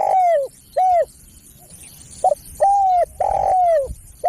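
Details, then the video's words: A spotted dove gives a lure call: clear, slightly drooping coos, a pause, then a short note, a clear coo and a long, rough, falling coo, all loud and close. "SUARA PEMANGGIL BURUNG TEKUKUR"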